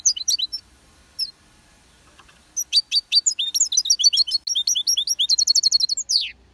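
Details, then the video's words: European goldfinch song, starting with a few scattered chirps, then a long burst of rapid, tinkling, liquid twittering that speeds into a fast repeated trill near the end. Faint low background hum. "Gullfinken tvitrer i høy kvalitet / Goldfinch tweet rent og uten feil /Guldfinken twittrar"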